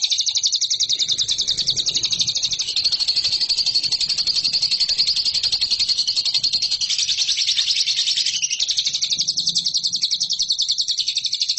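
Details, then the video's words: Lovebird song for training competition birds: an unbroken, shrill, fast-pulsing trill held throughout, shifting slightly in pitch, with a faint low hum in the background. "MASTERAN LOVEBIRD RAHASIA BURUNG JUARA"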